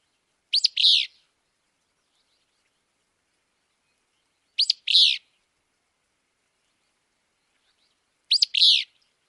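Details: Willow flycatcher from Wisconsin giving three burry two-part phrases, a sharp note then a buzzy slurred one, repeated about every four seconds with silence between.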